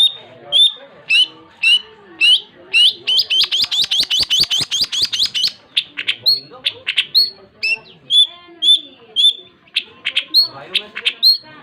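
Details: Long-tailed shrike singing vigorously: sharp, high chirped notes with upswept and downslurred whistles, broken at mid-clip by a fast buzzy rattle of rapid clicks, then quick separate chirps again.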